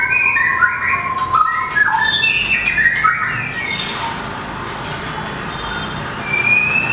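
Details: White-rumped shama, a small long-tailed bird singing in competition style: varied whistled phrases with some harsh squawky notes and sharp clicks, several bright whistles around the second second, a thin rising whistle near the end.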